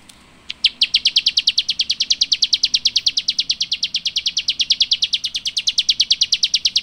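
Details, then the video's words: Chirping from rice-eating birds: after a brief pause, an unbroken series of rapid, evenly spaced high, sharp chirps continues to the end at an even pace. "Rice Eating Birds Chirping"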